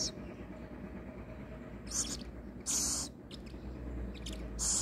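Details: Little owl kept for rehabilitation, before being fed, utters several rasping hisses of varying length over a loud rumbling low background noise.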